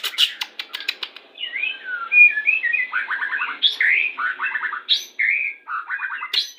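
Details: White-rumped shama song played as a lure to bring birds into breeding condition during pairing: a rich, varied run of clear whistled phrases, sliding notes and quick stuttering trills, opening with sharp clicking notes.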